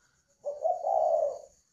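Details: Spotted dove kept in a cage in Ba Vì, Hanoi, Vietnam, uttering a single drawn-out, rough, low coo that swells and then fades over about a second, with no other sounds.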